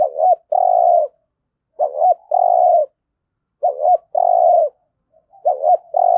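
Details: Low, mellow spotted dove coos in the thúc gù style for decoy training: a quick warbled double note followed by a drawn-out hum, repeated about every two seconds.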